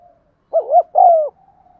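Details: Single spotted dove coo phrase, used to prompt silent birds to coo: a brief wavering note followed by a longer, gently falling coo, with faint tonal traces before and after.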